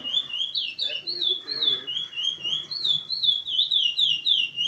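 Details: From Paço do Lumiar in Maranhão, a curió delivering canto seguido, a long unbroken string of sweet, looping whistles that dip and climb without pause, with faint voices low beneath.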